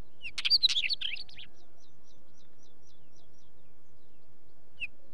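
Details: Wheatear song: a quick scratchy jumble of rattling and whistled notes lasting about a second, followed by faint, evenly spaced ticks and one lone short note near the end.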